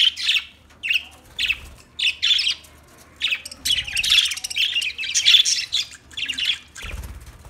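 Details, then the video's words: Budgerigar chirping in quick bursts: short bright warbled chirps and chatter clustered around mid-high pitch, coming in separate bouts about every half second, with brief pauses between phrases and faint low thumps. "Beautiful Budgie Sounds"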